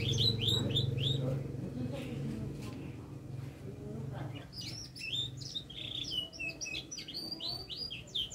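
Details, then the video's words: Canary singing freely, described as learning head-shaking: quick chirped phrases, a pause with faint murmur and low hum, then renewed bursts of rapid twittering trills. "kenari gacor belajar geleng-geleng kepala"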